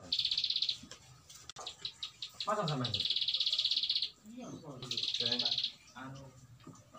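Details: Bar-winged prinia trills in three bursts of fast, high, rattling pulses, interleaved with low descending voice-like sounds and faint chatter in the background.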